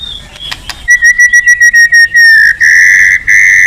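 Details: White-rumped shama calling a rival: a few soft notes, then a loud pure whistle held at one pitch, broken into short regular pulses, ending in longer steady whistled tones.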